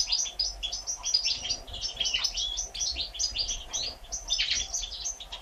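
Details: European goldfinch mother feeding three nestlings one day old, born 1 April 2017: rapid overlapping high-pitched squeaks and chirps run continuously, rising in brief clusters, over a low constant background hum.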